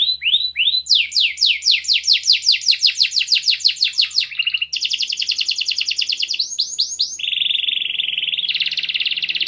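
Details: Canary song meant to encourage other birds to sing: a few rising whistles, a long rapid run of sweeping notes, then a buzzing rattle and a steady rolling trill.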